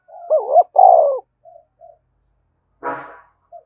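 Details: Spotted dove coo to set other doves cooing: one loud wavering two-part phrase, two short soft coos, then a brief harsh broadband burst of noise and a final faint coo.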